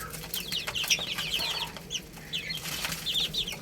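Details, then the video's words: Baby chickens feeding on rice give series of quick, high, down-slurred peeps in small runs, a little quieter, with occasional clicks. "Beautiful Chicks Chirping Sounds"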